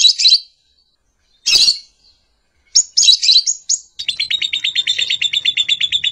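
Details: Lovebird calls begin as separate shrill squawks with pauses between them, then turn into a fast, even series of high, clipped chirps repeated several times a second.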